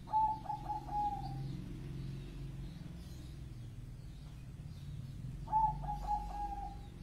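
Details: Zebra dove of the Bangkok type giving two cooing phrases about five seconds apart, each a quick stutter of short hollow notes that settles into a level drawn-out coo, with faint chirps from other small birds and low hum between phrases.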